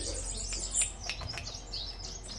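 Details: A caged Cuban bullfinch sings while perched on a hand, giving thin, high chirps and brief tinkling notes over a low room hum, with a short spoken remark.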